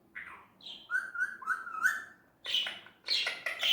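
An Indian ringneck parakeet talks in a string of short, speech-like phrases with a nasal tone, followed by a few harsh, buzzy bursts near the end.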